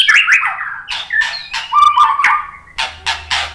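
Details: Murai batu, the white-rumped shama, in lure song for prompting other birds: descending slurred whistles, a sustained low whistled note, and closing harsh rasping bursts.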